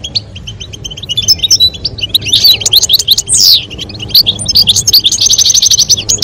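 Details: A male European goldfinch sings while a female calls, in a recording meant to stimulate mating. Continuous high, liquid twittering mixes with short buzzy notes and a grating rasp midway, ending in a steady trilled phrase. Light background music.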